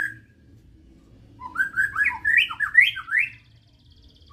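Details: Medan-type white-rumped shama delivering a short burst of clear whistled notes, rising and falling in quick succession over about two seconds, after a quiet start, with faint low hum underneath.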